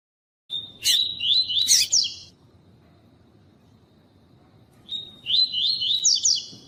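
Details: Pure tui-tui song of a Double-collared seedeater, with a calling female meant to excite the male: two rapid, slurred high warbling phrases a few seconds apart, with sharp loud chirps cutting through the first phrase.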